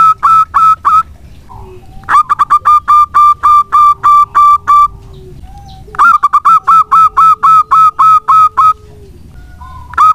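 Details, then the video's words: Three rapid phrases of rhythmic, bell-like coo notes come from a local zebra dove, an eager singer kept as a lure to prompt other doves to sing. "Perkutut lokal gacor untuk pancingan sangat bagus."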